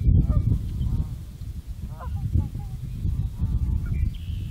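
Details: Trumpeter swan in the Nebraska Sandhills on March 15, 2014, giving scattered short, nasal honks of several pitches through heavy low wind rumble.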